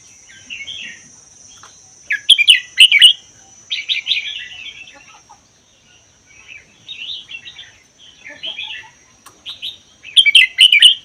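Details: Caged red-whiskered bulbul of wild Vietnam–Laos stock, kept one year, singing a song rated 80% doubled, used to prompt other bulbuls to sing; bright, bubbly chirped phrases in bursts with short pauses, a thin constant high tone behind.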